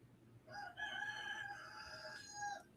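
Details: Bossy rooster crowing again in the background, one drawn-out crow of about two seconds with harmonic layered tones ending in a short drop, quiet surroundings.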